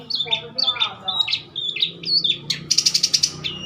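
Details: Mature long-tailed shrike singing actively: a lively run of short, high, downslurred chirps, then a rapid buzzy rattle of fast-repeated notes near the end, with faint low background hum.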